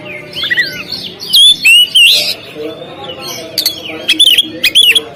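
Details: Oriental magpie-robin performing on a contest stand: twisting whistled phrases, a long rising and falling warble in the middle, then clipped, bright chirps toward the end.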